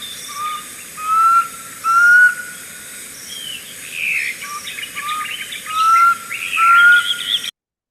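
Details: Black cuckoo (Cuculus clamosus), a cuckoo with a crying call heard in the bushveld, said to be saying "I'm so sick": mournful whistled phrases of three or four slurred notes, the last rising slightly, repeated twice; other birds chatter faintly behind.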